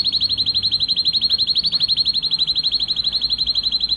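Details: Male canary singing excitedly to stimulate mating: a single fast, regular trill of sharp repeated notes, about four per second of rapid pulses, steady in pitch throughout.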